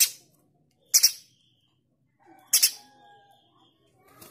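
A male streaked spiderhunter gives two loud, harsh, explosive notes about a second and a half apart, with faint thin tones fading after the second one.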